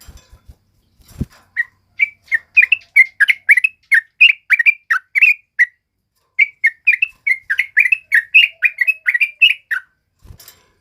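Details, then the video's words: Nonstop male sooty-headed bulbul song, offered as a master voice for other birds: after a few clicks, a long stream of quick chirrupy notes with a brief break near the middle, ending in a thud. "SUARA BURUNG TRUCUK KEBO GACOR NGALAS COCOK BUAT PANCINGAN DAN MASTERAN"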